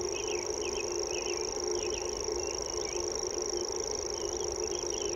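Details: Unmusical high reeling trill of a common grasshopper warbler running without a break. Short looping whistles from other songbirds repeat around it, and a low steady hum fills the background.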